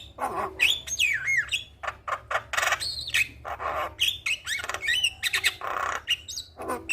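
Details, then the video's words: Javan myna in energetic song, played as a lure to prompt a stressed bird to sing: rapid harsh squawks and raspy bursts mixed with short rising and falling whistles, loud and almost continuous. "Suara Jalak Kebo Gacor"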